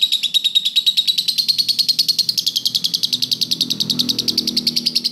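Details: Lovebird singing in a master recording meant for training other birds: a rapid rattling series of high chirps, more than three per second, gradually climbing in pitch over a faint low hum.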